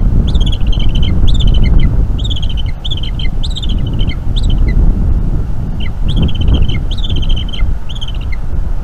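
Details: Young Bald eagle chattering a lot while being fed squirrel by its mother at a North East Florida nest, evening of 5 May 2021; rapid high chittering series of piping notes, repeated roughly once a second, over loud low wind rumble.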